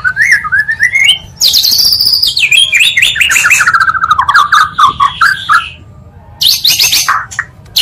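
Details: Combined song of two Oriental magpie-robins used as a provocation for other magpie-robins; rising whistles lead into a long descending cascade of rapid notes, a quieter pause, then bursts of harsh high chatter.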